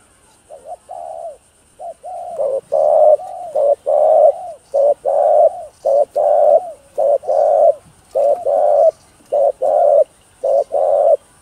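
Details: Spotted dove giving its full cooing routine to spur other doves into calling: a long run of low, rounded coos in short-long pairs, steadily repeated about once a second and growing louder after the start, with a faint background hiss.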